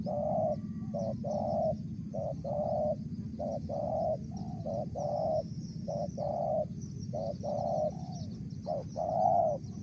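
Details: Spotted dove repeating its Mersik call, with short clipped coos each followed by a drawn-out note in uneven succession, over a steady low rumble and faint high twittering.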